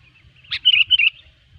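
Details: One clear, rapid bubbly phrase from a sooty-headed bulbul, recorded as a loud lure for catching bulbuls: a short sharp onset followed by four fluty, slurred whistled notes.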